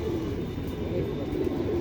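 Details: In a loft of about 700 high-flyer domestic pigeons in Rajshahi, Bangladesh, kept with clipped wings for winter, the caged birds call for food after dark in a soft, overlapping chorus of low, rolling coos.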